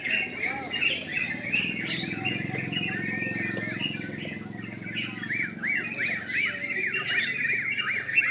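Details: Sooty-headed bulbuls singing at a night-time bird contest: dense, overlapping chattering phrases from several birds, then over the last three seconds one bird gives a fast, even run of sharp up-and-down notes. A low murmur of voices runs beneath.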